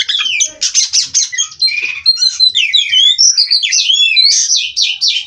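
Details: Nonstop rolling song of a captive-bred Oriental magpie-robin: harsh buzzy bursts at the start give way to a fast stream of liquid, looping whistles and chirps, all high-pitched and unbroken.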